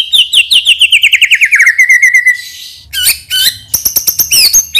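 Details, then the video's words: White-rumped shama lure song to set other birds singing: a fast trill of repeated notes sliding steadily downward, then sharp whistled sweeps and rapid clicking chatter, with a faint low hum behind. "PANCINGAN MURAI BATU NEMBAK ISIAN"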